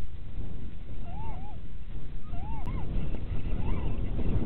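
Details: Little owl pair in the mating season at Winterswijk, Netherlands, in January 2017 at 17:30: three short arched notes, each rising then falling, spaced about a second apart, over a heavy low rumble of wind noise.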